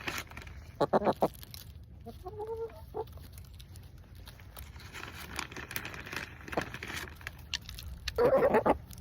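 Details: Chickens in a homestead coop on December 29 give short bursts of clucking and a low, wavering run of calls, scattered across a steady background hum.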